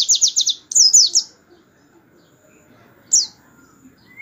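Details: High canary-style 'tembakan' song used as master song for white-eye training; a quick trill and sweeping whistled phrase, then a long quiet gap before one short high chirp.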